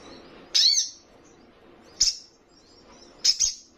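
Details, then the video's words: Crimson sunbird giving three short bursts of very high, thin, sharp chirps, spaced a second or so apart, over a quiet background; used to provoke rivals. "Sogon trotolan paling gacor dan bikin emosi lawan!"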